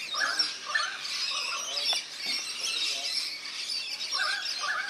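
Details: Rainbow lorikeets at a backyard birdbath in NSW, Australia, bathe amid constant thin, high screeching chatter, with short lower chirping phrases at the start and end and faint taps in between.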